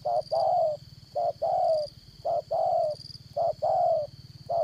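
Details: Decoy spotted dove with the 'Đồng Son' voice, kept for trapping: loud, mellow two-part coos, a brief note followed by a drawn-out one, about four repeats at an even pace, with a high insect whine and a low hum behind.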